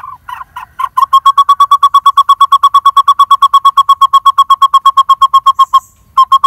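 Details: Lineated barbet chick in a nest hollow of a dead durian tree, screaming to its parents while waiting for food near fledging; rapid, evenly repeated harsh notes, about three per second, with a brief pause before the final burst.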